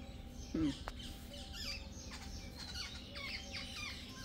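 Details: Jungle babblers in a gang giving harsh, squawking chatter in quick bursts that grow busier toward the end, after a brief low thump near the start, over constant low background rumble.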